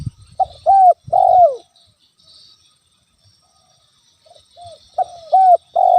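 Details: Spotted dove calling to provoke a rival: bursts of two or three mellow descending coos at the start and end, separated by a long quiet gap with only faint soft notes, light background hiss.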